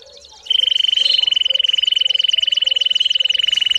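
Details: Canary singing as a training recording for young birds: a sustained, rapid rolling trill on a steady high note, beginning abruptly and running over three seconds, with faint downward sweeps above.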